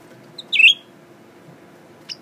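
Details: Tame caged male Blue-winged Leafbird singing while gazing into a mirror: one loud, high, slurred chirp falling slightly, then a brief faint note near the end; low background hum.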